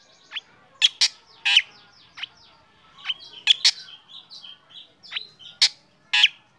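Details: Black drongo singing in morning sun, encouraging other birds to join; loud harsh chips interspersed with varied softer whistled and chirping notes.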